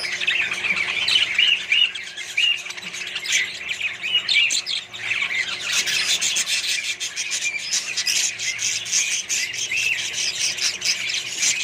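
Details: Colony of Australian budgerigars kept with other birds, giving dense, continuous chirping and warbling chatter with scattered squawks, many birds calling at once without pause.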